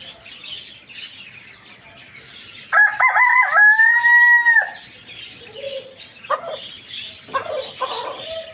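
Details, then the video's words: Rooster crowing in the morning: one loud, harmonic crow of about two seconds, broken notes that settle into a long, level, drawn-out tone before dropping off. Shorter clucking notes follow, over a steady background of many small birds chirping. "Chicken rooster crowing in the morning"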